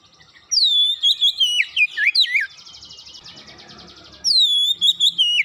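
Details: Oriental magpie-robin (kacer) singing rapidly: loud descending whistled phrases and looping notes, a softer buzzy trill in the middle, then the bright falling whistle returns.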